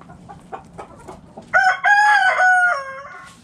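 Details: Rooster crowing in a backyard coop while hens eat: soft short clucks first, then a loud crow lasting over a second that rises, holds level and dips at the end.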